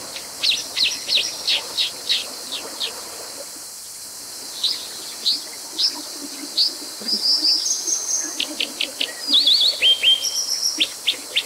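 Brown Dipper giving sharp, high clipped notes in quick irregular runs, several a second, with a few brief twittering bursts over a soft rushing background.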